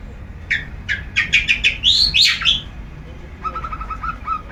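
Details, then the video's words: Ngeplong song of a long-tailed shrike at its routine sunning: accelerating chirps lead to two bold swooping notes, then a soft, quick chatter trails off. "Rutin Di jemur Burung Cendet ngeplong⁉️Gak mau Diam"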